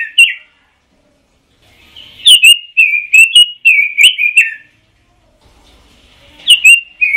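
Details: Pekin robin giving ngoceh song: a brief opening whistle, a pause, then a long, fast, warbling phrase of bright notes, and after another gap a new phrase starts.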